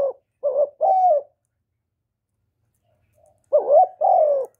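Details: A spotted dove coos to stimulate newly kept birds; two hoarse double-note phrases, a short hiccup then a sustained falling coo, separated by a silent gap of over two seconds.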